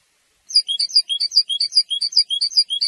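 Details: Territorial and courtship song of a European goldfinch: quick, evenly spaced chirps bounce between higher and lower tones, a bright high twitter kept up without pause for over two seconds in an otherwise silent recording.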